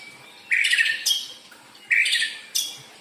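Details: White-rumped shama sound used as a lure for other birds: two harsh, buzzy bursts about one and a half seconds apart, each followed by a sharp high note.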